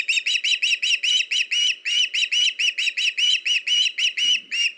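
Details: Osprey calling at a nest on a live camera, 21 August 2019, while a fish is delivered by the male to the female and a youngster perches in a tree; loud piercing whistled chirps come in a fast, even series with brief gaps.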